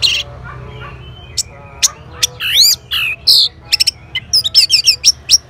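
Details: Orange-headed thrush replying to a lure: scattered sharp notes build into a looping whistled phrase, a buzzy rising slur, then quick bursts of clipped high notes repeated several times per second.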